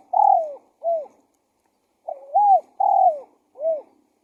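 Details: Spotted dove call used as a decoy to lure wild doves: two soft, drooping coos, a short pause, then a phrase of arched, rising-and-falling coos ending in a brief falling note. Clean recording with no other sounds.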